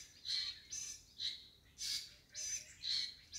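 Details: White-rumped shama, a wild-born young bird, repeating rasping, high, noisy calls about twice a second, each note short and scratchy, over a calm, quiet background.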